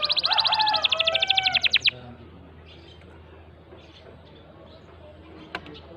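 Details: Canary singing to encourage a silent bird, a loud rapid trill lasting about two seconds with lower tones beneath it, then near silence with faint background noise.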